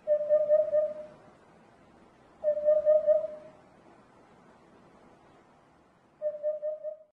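A hoopoe gives low, hollow oop-oop-oop phrases of three or four soft notes. The phrases repeat every few seconds against faint background hiss.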